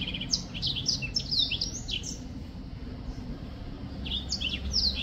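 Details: A black-throated finch, a songbird, sings a rapid run of high slurred chirps for about two seconds, falls quiet, then resumes with another short burst of sharp notes; low background hum throughout.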